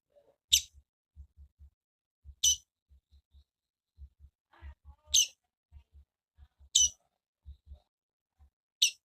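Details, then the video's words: Female double-collared seedeater giving sharp, high, brief chip notes about every two seconds, five in all, over a steady pattern of soft low thumps and a few faint mid-pitched murmurs. "Melhor piado de fêmea de coleiro"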